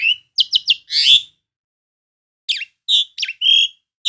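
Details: Sparse notes from an Asian pied starling: a short run of clipped chirps and a rising buzzy whistle, a quiet gap of over a second, then several whistled and slurred notes.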